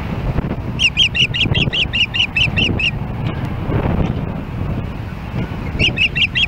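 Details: Osprey on its nest in Hellgate Canyon, Missoula, Montana, calling on July 4, 2016 while another osprey approaches. A long run of about ten quick, high, whistled cheeps is followed by a pause, then a fresh series begins. Low rumble underneath.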